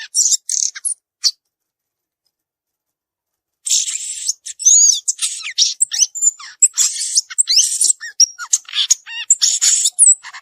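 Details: Wild violaceous euphonia singing: a brief burst of high twittering notes, a pause of about two seconds, then a fast, varied jumble of buzzy chatter, sharp chips and thin whistled slurs high in pitch.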